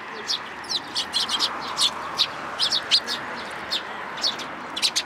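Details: Young sparrow visiting a plum tree at a shrine to be fed, June 2022; thin, high chirps spaced irregularly, fainter than nearby calls, over a steady background hiss.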